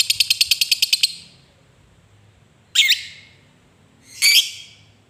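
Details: Lovebird giving a long ngekek chatter used to prompt lazy lovebirds to sing: a fast burst of about ten harsh rasping notes, then after a pause two separate loud squawks.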